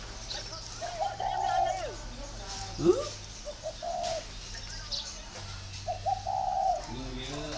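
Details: Spotted dove kept at a breeding garden in northern Vietnam, voice style described as 'very taut'. Several hollow, slightly wavering coo notes come in broken phrases, with a sharp tap near three seconds and a constant low mechanical hum.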